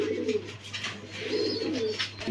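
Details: Farmed pigeons in Mirpur 1, Zahurabad, indoors: a series of low, rolling coos, several overlapping, with faint higher chirps above and a steady electrical hum underneath.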